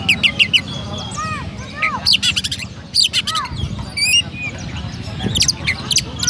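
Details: Captive Oriental magpie-robin in Petarukan, Pemalang, Central Java, Indonesia, in gereja-style song: clusters of sharp chirps alternating with short arched whistles and a rapid trilled flourish, against a low rumbling background.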